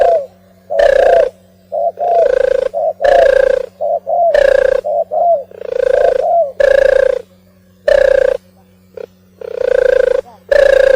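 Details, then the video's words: Oriental turtle dove giving a long run of gravelly, buzzing coos roughly once a second, separated by small softer downward-curving notes, with a persistent low electrical hum. "صوت القمري المهاجر - الترغل"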